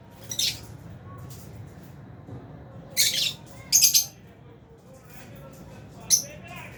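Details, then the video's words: Albino and Fisher's lovebirds eating in an aviary: soft scratchy notes, then loud harsh squawky chirps in close pairs and a final sharp chirp, over a faint low hum. "Lovebirds Chirping Sounds"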